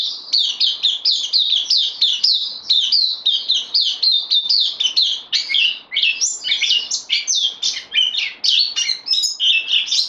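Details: Newcomer bulbul on loan in a cage, 12 September 2020, gives quick evenly spaced chirped phrases that turn into a more jumbled, varied and higher twittering in the second half.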